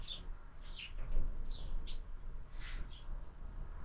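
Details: Sparrows visiting window-mounted feeders with year-round feeding give scattered, sharp chirps, some slurred and falling, spaced irregularly across a few seconds against a steady low hum.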